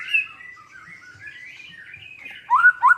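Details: White-rumped shama song played to stir a silent shama into singing: a soft, continuous warbling ripple of varied whistled notes, ending in two short, louder whistled phrases.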